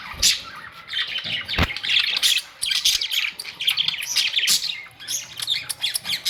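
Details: Colourful pet budgerigars on May 2, 2023, chattering together in a continuous, busy stream of high, scratchy chirps and warbles, with occasional sharper squawks and a few low knocks.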